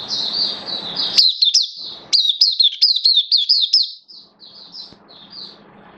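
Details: Oriental white-eye in a cage, 11 September 2022, slightly below form: continuous high twittering, then a lively series of sharp sliding chirps, trailing off into a few soft separate notes with faint hum behind.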